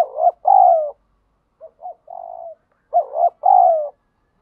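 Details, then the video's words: Wild spotted dove giving the 'thúc gù' coo, Vietnam: three soft hooting phrases, the outer two strong with a wavering start and a drawn-out falling coo, the middle one quieter and shorter, no other sounds heard. "chim cu gáy thúc gù bài bản, chim cu gáy đất thúc gù ngoài tự nhiên"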